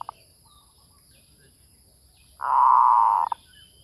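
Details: Zebra dove lure call: two short notes near the start, then a loud, dense, rolling coo lasting nearly a second, ending in a brief clipped note, over a quiet background.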